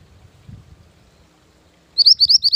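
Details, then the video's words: Mantenan gunung bird, used as a lure and master song for training, begins a quick string of high rising whistled notes at the end, following faint low background rumble. "Mantenan Gunung Pikat Gacor"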